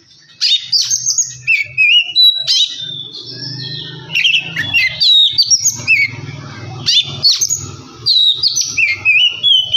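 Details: Oriental magpie-robin song played to rouse another bird into singing: rapid varied whistles, sharp upward sweeps and chattering notes, with a low hum running underneath through much of it.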